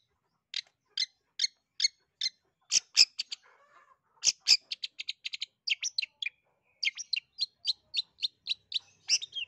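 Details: Long-tailed shrike singing a lively, varied song used to prompt quiet shrikes to sing: rapid sharp chips and clipped whistled notes in quick runs, with a couple of harsh broadband notes and a brief pause midway.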